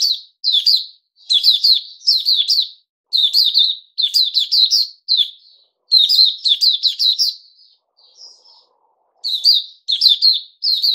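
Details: Puteh Raja bulbul, 08052021, after fruit juice, one mealworm and a health drink: nearly continuous bright warbling in quick clusters, with only a short quiet pause near the end.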